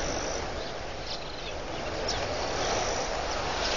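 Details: A vast swarm of red-billed quelea over the water at Pete's Pond, Mashatu Game Reserve, Botswana, in October 2015. The sound is an unbroken, roaring, hissing din from the massed flock, with a few brief high chirps standing out.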